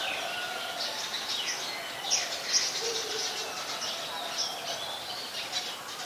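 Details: Brown-throated sunbird recorded on a Nikon P1000 camera in Ubon Ratchathani, Thailand, 15 January 2021; a steady run of sharp, high-pitched chirps and short twittering phrases, with a soft lower whistle behind.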